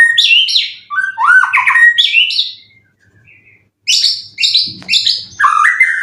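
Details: Twelve-time contest-winning white-rumped shama, caged in Indonesia, about three moults old, with song material full of cililin. Bursts of varied, bright whistles and slurred phrases rise and fall, broken by a silent pause before another rich burst.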